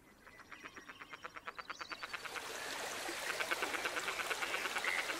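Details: Red-necked grebes fighting and in courtship display: a quick run of harsh, nasal pulsed notes, about three a second, blurring into chatter over rising splashing and rushing water.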